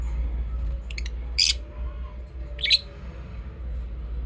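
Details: Lovebirds singing and chirping: a few quick high squeaky chirps near the middle, then one brighter chirp burst, over a steady low indoor hum.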